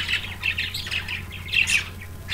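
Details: Pet budgerigars, just woken in the morning and very active, give loud, scratchy chirps and squawks in quick, irregular bursts while two of them eat seeds from a hand held in their cage.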